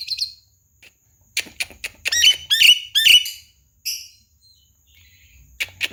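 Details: Tame Javan myna known for talking and a rich mimicked repertoire: a buzzy squawk, silence, then a rapid burst of sharp chirps and rasping notes, and a final harsh squeak.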